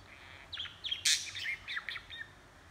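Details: Pet budgerigar chattering softly, with short scratchy chirps and squeaks and one loud harsh burst in the middle of the babble.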